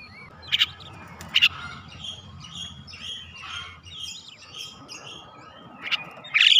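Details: Oriental magpie-robin song used as training audio to get caged birds singing; varied chirps, squeaky notes and short whistles tumble along, broken by a few sharp loud bursts.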